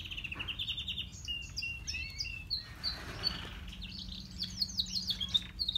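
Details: Grey and crested canaries singing: high chattering phrases, short rising notes and bright trills that quicken toward the end, over a steady low electrical hum.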